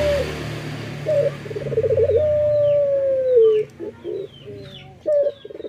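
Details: Male local puter dove singing in the morning over a steady background hiss. A clipped note and a rolling purr lead into a long, low, gently falling coo, then more short notes, with thin chirps from other birds.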